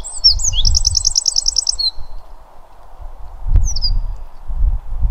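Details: Eurasian wren from the Pilica River valley giving a burst of high song: a few sharp twitters, then a fast, evenly spaced, metallic trill lasting about a second, followed later by one brief high note, with low rumbling noise underneath.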